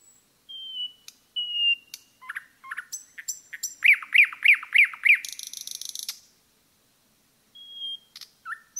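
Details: Forest nightingale song: level piping whistles, clicking notes, four loud rhythmic swooping chirps, a dry buzzing rattle about a second long, silence, then another whistled phrase begins.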